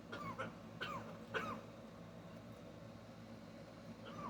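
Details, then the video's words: A blue-and-yellow macaw gives three short, raspy, cough-like bursts about half a second apart, then falls quiet under a low room hum; a habitual coughing sound, the owner wondering if she was sick. "Coughing Macaw"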